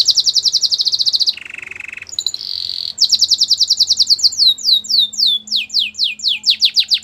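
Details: Belgian canary singing; fast trilled phrases of repeated high notes, a lower buzzy rolling section, then a bright trill and a run of steeply descending whistled sweeps repeated several times a second, recorded indoors.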